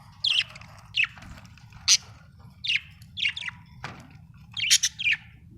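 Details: Chirping budgerigar from Australia, with repeated downward-sweeping chirps roughly every half second to second and a brief click midway, steady low hum beneath.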